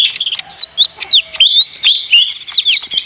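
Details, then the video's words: Noisy leafbird song: separate clear whistled slurs, some rising and some falling, spaced through the phrase, then closer together into a quick twittering finish. "suara ijo mini (daun)ribut paling ampuh"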